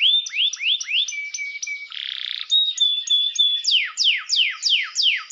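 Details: Canary song intended to provoke rival birds: rising upturned whistles, a flat held tone, a short harsh buzzy burst, level whistled notes, then loud steeply falling sweeps repeated about three per second.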